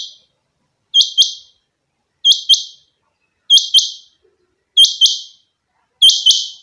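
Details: Pet rain quail (chinga batair) delivering five crisp doubled notes, each pair like a quick metallic 'whit-whit', regularly spaced around 1.3 seconds apart, with a clean, quiet background.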